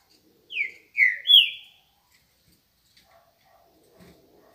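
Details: Green-winged saltator singing in the morning: three loud whistled notes, each slurring downward, the last longest and highest, given in quick succession over about a second, then quiet with faint background sounds.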